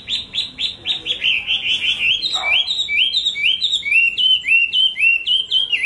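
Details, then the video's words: Chinese hwamei song: a fast series of bright, repeated whistled notes, about four per second, each sliding upward, shifting into a new repeated motif halfway through, loud and ringing. "tiếng hót hay nhất của chim họa mi"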